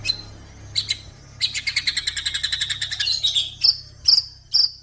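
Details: Crossbred F series male white-rumped shama giving a fast buzzy chattering run of evenly repeated notes, followed by a few sharp, high separated chips, over a steady low electrical hum.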